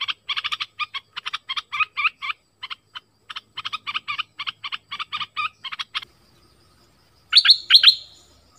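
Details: Orange-headed thrush song used to lure wild birds and train young birds: a long run of rapid, clipped notes for six seconds, then a pause and a louder pair of rising whistled phrases.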